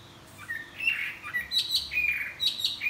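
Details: Chinese hwamei greeting the morning while flapping its wings, singing clear, loud whistled notes that jump between pitches in short, lively phrases.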